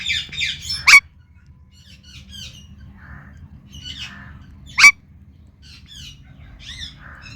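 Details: Pet Indian ringneck parakeet calling loud indoors: two piercing, harsh squawks about four seconds apart, with soft high chirps and twittering notes between them over a quiet room hum.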